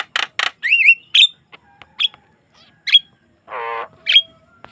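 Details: Javan myna singing a varied, chattering sequence, used as a lure to get other mynas singing: rasping bursts, a wavering whistle, scattered sharp chips and one drawn-out nasal croak among short whistled notes.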